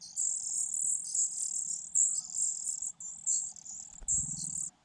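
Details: Hungry Fujian niltava nestlings, four in a nest concealed in grass, squeal for food in high shrill bursts separated by short pauses, ending with a soft low knock.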